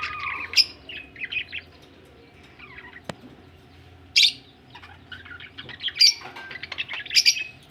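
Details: Budgerigars ready for egg laying: scattered short chirps and soft warbling twitters, a sharp click midway, then several bright high chirps clustered near the end; low hum throughout.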